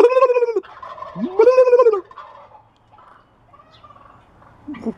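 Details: Wild turkeys amid a fight among many birds: two loud, rattling gobbles about a second apart, each a rapid burst of throaty pulses, followed by softer, lower clucking calls and a brief squeal at the end.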